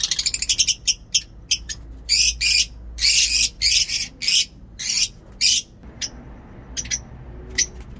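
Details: Lovebirds in a home aviary give shrill, harsh screeches. A quick stuttering run opens, then ragged bursts follow roughly every half second, with fainter chirps between.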